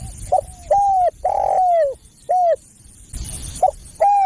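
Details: Spotted dove calling to attract other doves: short hooked coo, longer falling coo and a short coo, repeated in two phrases with a brief rustle between them.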